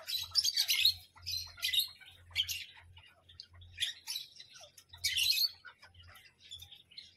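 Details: Series of short, raspy parrot squawks and chips at irregular intervals, some louder and grating, others soft, over an intermittent low hum.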